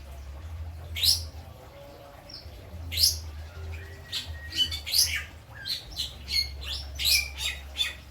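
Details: Caged lovebird from Krangkeng, Indramayu, West Java, singing a song filled with kapas tembak and citblek imitations: sharp high chirps and short rising whistles in scattered bursts, over a steady low hum.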